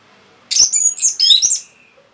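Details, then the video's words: Caged orange-headed thrush with energetic song, played to prompt silent birds to sing: a continuous run of very high, squeaky, jumbled twittering notes ending in a thin trailing whistle. "PANCINGAN ANIS MERAH GACOR INI ATASI BURUNG MACET BUNYI"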